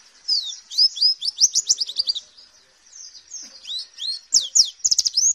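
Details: White-eye song recorded as a training recording for caged birds, advised for morning dew time: quick, high, slurred down-sweeping notes strung into chattering phrases, a short pause, then a louder closing burst of sweeps.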